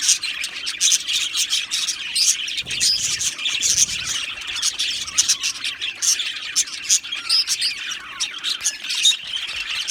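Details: Many Australian budgerigars chirping in an aviary colony, a bright rapid twittering chorus of high notes and clicks, briefly thinner around three seconds before building again.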